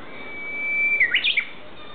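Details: Japanese bush warbler singing in woodland at an ecological park: a long, steady whistled note held for about a second, then a quick, jerky warbled flourish that ends the phrase, with a quiet background.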